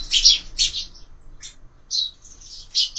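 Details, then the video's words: Sparrows in a window-mounted feeder during breakfast: short loud chirps in separated bursts, with quieter pauses between calls. "Воробьи в кормушке"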